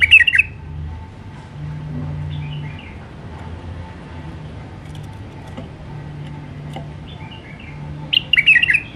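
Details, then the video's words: Alwazi-style song of a wild White-eared bulbul: a short bubbly warble opens, a long quiet gap with a faint hum follows, and a second tumbling phrase of bright notes closes it. "تغريد بلبل عراقي وحشي طور علوازي راقي"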